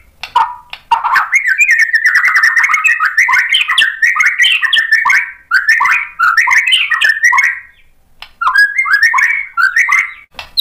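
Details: White-rumped shama provoked to sing: a long, rich, rapid medley of warbles, trills and chattered notes, almost unbroken for seven seconds, followed by a pause and a shorter resumed burst.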